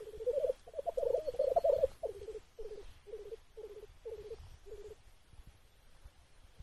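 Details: Black grouse at its evening gathering ground, observed from a hide near 9 pm: loud bubbling warble for two seconds, then breaking into short separate gurgling phrases about every half second that fade into quiet.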